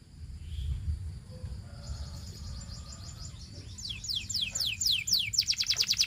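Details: Belgian canary song, given to stir other canaries into singing: low background noise at first, then a faint trill rising into loud descending whistles and a rapid pulsing trill at the end.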